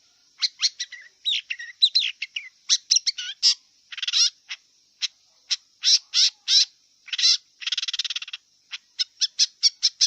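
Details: Wild long-tailed shrike pouring out a dense, scratchy song of mixed chatters, harsh buzzy bursts and sharp high notes, delivered in irregular clusters with short gaps.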